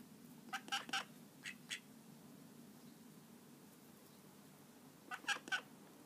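Call duck ducklings give short, nasal, quacky calls in quick bursts of two or three, then fall quiet before another cluster. A low steady hum runs underneath.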